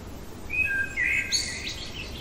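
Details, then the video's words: Blackbird in the middle of the night: a short pair of clear whistled notes followed by a brighter, higher squeaky twitter closing the phrase, faint hiss behind. "Merle chantant au cœur de la nuit"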